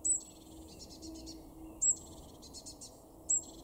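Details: Eurasian blue tit in a garden in Weener, East Frisia, northwest Germany, May 2021: a very high, thin note every second and a half, then softer buzzy trilled phrases over a faint low hum.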